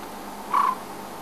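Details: African scops owl perched hidden in a tree at Djuma, South Africa, gives one short purring trill at mid pitch, its night call usually repeated every 5 to 10 seconds, over quiet background hiss.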